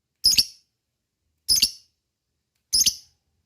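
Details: Lovebird call for provoking lovebirds to sing: three short, squeaky, double-pulsed chirps, evenly spaced about 1.2 seconds apart, with silence between.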